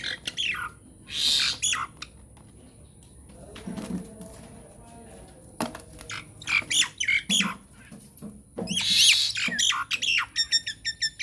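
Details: Nias hill myna lure song intended to set other mynas singing: harsh loud squawks and gurgles with scattered clicks, a quieter middle stretch, then a dense burst of squawks and rattling notes.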